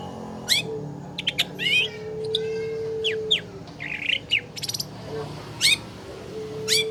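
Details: Long-tailed shrike kept in a cage, in a lure recording meant to get a reluctant bird singing: scratchy rising and falling notes, a quick burst of chattering clicks, and a low hum underneath.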